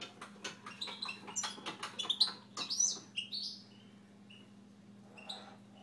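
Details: Pet Siberian goldfinch singing indoors: a fast run of bright, high twittering notes and buzzy trills for about three seconds, then a few scattered thin whistles over a constant low hum.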